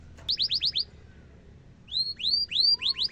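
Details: Canary song for training young and adult canaries: a short burst of five rising whistled notes, a pause, then longer slurred whistles and a quick run of rising notes.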